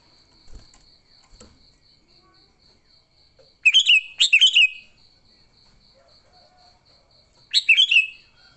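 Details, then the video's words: Fighting song of a sooty-headed bulbul for luring bulbuls, without added birds: quick paired bursts of liquid, tumbling chirps, then another burst after a pause, over a steady pulsing high buzz. "Suara Burung Kutilang Gacor TARUNG Tanpa isian, Ampuh untuk pikat Kutilang jadikan Kutilang ribut."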